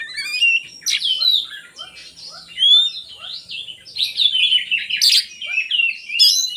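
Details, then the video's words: Oriental magpie-robin song meant as a lure for lazy kacer birds. Varied whistles, rising and falling slurs and scratchy notes run over a steady series of short descending chirps, with loud bursts in between. "suara burung kacer bagus untuk pancingan kacer malas bunyi"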